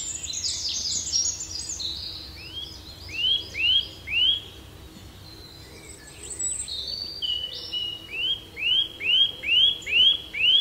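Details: Relaxing birdsong with high twittering followed by a series of clear downward-curving whistled notes repeated about twice a second, first in a group of three, later a longer run of six, other birds chirping behind.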